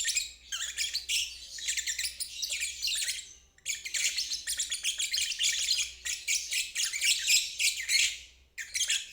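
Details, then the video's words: Ngeriwik trilling of a lovebird, recommended for birds that have stopped singing and young birds; long sustained rattling, buzzy trills lasting about three seconds each, split by brief silences, over a faint low hum. "Terapi Lovebird ngeriwik untuk burung macet dan balibu belajar bunyi"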